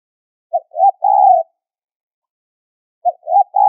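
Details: Spotted dove giving a high-pitched lure call used for bird trapping: a short clipped note, a rising hoot, then a longer wavering coo. The phrase repeats after a pause with a clean, quiet background.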